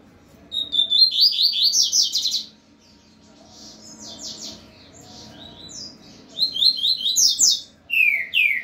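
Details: Double-collared seedeaters, two kept birds placed face to face: long fast bursts of high chirps and twitters in rapid series, a quieter stretch of softer notes, then renewed loud twittering and two falling whistles at the close.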